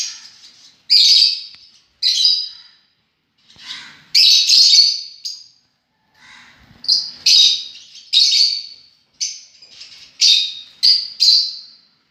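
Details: Excited lovebirds chatter with harsh, high-pitched shrieks and chirps, coming in irregular bursts, some overlapping, with short gaps between.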